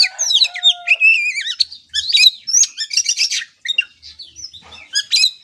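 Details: Captive Oriental magpie-robin song for training a trotolan youngster: rapid wavering whistles and trills, a long flat whistled note near the start, then dense bursts of sharp varied notes separated by short gaps.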